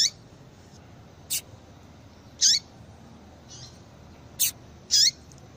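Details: Female Yellow-bellied seedeater calls used to make males sing: a quick run of brief high chirps, loud and soft notes alternating, with a pair of bright calls close together at the end.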